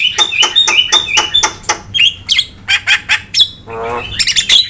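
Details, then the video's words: Starling (jalak) used as lure and tutor sound for training birds: a quick run of sharp chattering notes with whistled upslurs, then a brief rattling churr and squeaky high notes near the end. "PANCINGAN DAN MASTERAN BURUNG JALAK"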